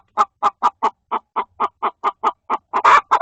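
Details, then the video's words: Hen in a coop scolding another hen laying an egg, with short regular clucks in a steady run, ending in a louder burst of rough, squawking notes. "Funny Chickens sounds"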